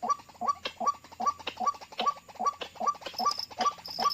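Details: White-breasted waterhen calling during a trapping session where birds are lured with call playback: rapid, regular rising notes, about two and a half per second, with some scratchy chatter under them and a faint high squeak.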